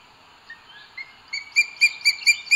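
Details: Booted eagle at its nest in Sierra de Guadarrama park, Spain, on 2 June 2022, male bringing food to the female; faint scattered notes, then a run of sharp, high, ringing calls about four per second, recorded by a nest camera.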